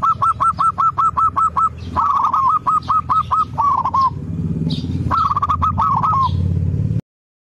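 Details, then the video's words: Zebra dove song used to stimulate a reluctant singer: fast runs of evenly spaced, clipped coos, then rolling trilled phrases, against a persistent low-pitched mechanical drone. "PANCINGAN PERKUTUT MALAS BUNYI"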